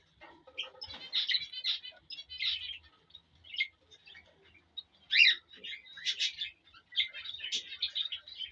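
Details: Male cockatiel whistling and chirping to a female to stimulate mating; bursts of bright warbled notes and short rising whistles come in clusters separated by brief pauses, with faint low thumps beneath.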